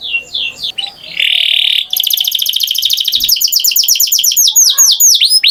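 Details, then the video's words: Canary begins with slurred notes and a harsh buzzy burst, then breaks into a long, very fast high trill that turns into swooping, sliding notes. "Canary Singing Beautifully"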